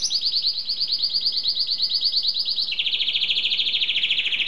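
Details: Canary singing loud, rapid rolling trills: a high fast-pulsed tour for about three seconds, then a switch to a lower, equally quick rattling trill.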